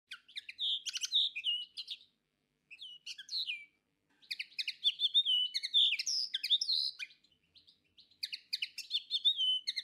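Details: Common linnet (Carduelis cannabina), also known as repolov, singing: rapid, varied twittering mixing buzzy trills, short whistled notes and dry chips, delivered in long bursts broken by brief pauses, with no other clear sounds.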